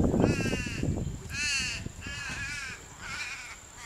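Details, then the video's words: Purple swamphen pair at their nest swapping incubation duties: a run of four nasal, wavering squawks at roughly one-second intervals, following low rustling and bumping sounds. "Purple Swamphens swapping nest duties"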